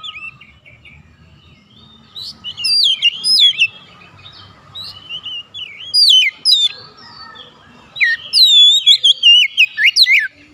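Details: Oriental magpie-robin calling to companions, with other birds replying immediately in lively exchange: rapid bursts of sharp, upslurred whistles and chirps in three clusters, separated by brief quieter pauses and a steady low hum.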